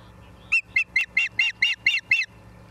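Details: Osprey calling at its nest in Charlo, Montana, on 28 September 2023, 17:45, from a live camera: eight loud, raspy, evenly spaced chirps delivered in a quick burst, then quiet with a faint hum.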